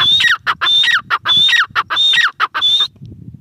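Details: Short burst of grey francolin calling, locally teetar: five loud, shrill phrases of a high held note dropping lower, closely spaced, then low background noise.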